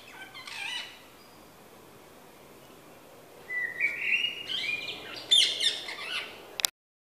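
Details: Garden morning sounds on 31 May 2017: a Common Blackbird gives a short, warbling phrase that rises and wavers, with harsh, shrill screeches from rose-ringed parakeets before and after.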